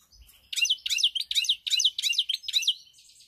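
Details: Song of a pied European goldfinch, recorded 7 March 2021. Six bright, buzzy, downward-sweeping phrases follow one another about every two fifths of a second, closing with a thin twitter, over a faint low thump.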